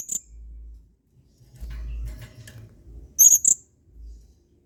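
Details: Adult male blue-crowned hanging parrot singing a 'main singa' tutor song for training other birds: one piercing high chip, a near-silent gap with faint rustling, then a pair of shrill squeaky notes.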